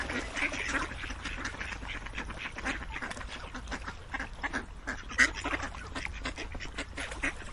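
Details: Flock of ducks calling at once, a thick mix of nasal quacks and chatter, one sharper call standing out near the end.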